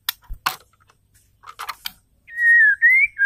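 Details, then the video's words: ['Female white-rumped shama whistling to make males sing: scattered knocks and taps at first, then a long, smooth whistle that rises gently, followed by two shorter notes.'] "PANCINGAN AMPUH SEKALI PUTAR MURAI BATU DISITU AUTO EMOSI"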